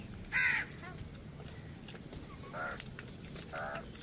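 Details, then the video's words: At a feeding gathering, a crow gives one loud, raspy caw, then two softer, shorter caws further off, over a steady outdoor background with scattered chirps. "Crows Feeding Viral Crows Birds Rush Rere Moments Natural Birds Sounds"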